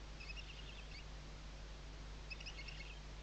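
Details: Nest webcam at Riet Vell Nature Reserve, Ebro Delta, Tarragona, Spain, 2023: Western barn owl chicks sheltering under the mother's wings give two rapid chittering bursts of high, harmonic notes, heard against a steady low hum.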